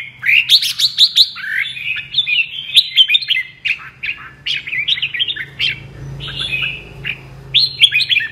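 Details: Apricot-coloured red-whiskered bulbul kept as a cage bird, delivering a double-voice song: a steady stream of clear, warbled whistles and quick slurred notes, with a faint low hum behind.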